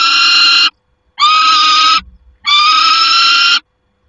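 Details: Peregrine falcon calling at the nest, 28 August 2021: three loud, grating, level-pitched screams under a second long, spaced by short pauses, with a soft low thump between.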